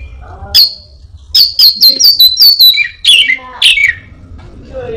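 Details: Singing Orange-headed thrush, a quick learner of other birds' voices: a run of sharp high chips in close succession, then two descending whistled slurs, with faint low sounds between phrases.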